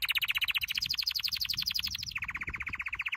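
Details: Canary singing a training song: a fast rolling trill that steps upward to a higher tour, then drops abruptly to a lower, slower series of repeated chirps.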